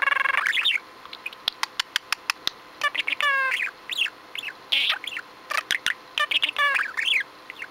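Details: Pet budgerigar kept indoors, especially chatty all day, filmed 6 February 2015; warbled chatter of rising and falling notes with rapid clicks, buzzy rattles and sharp ticks in short bursts.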